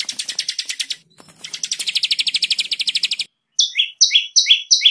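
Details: White-rumped shama master song, tembakan rapat type for training songbirds: a fast high trill, a brief pause, a long run of rapid piercing notes, then slower paired whistles sliding downward in a repeated pattern.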